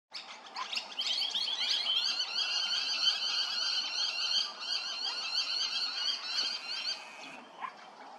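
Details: Grey-crowned babbler at Hervey Bay, Queensland: a loud, rapid, harsh chattering of buzzy, layered notes, roughly three per second. It runs unbroken for about six seconds, then stops. A short sharp note follows near the end.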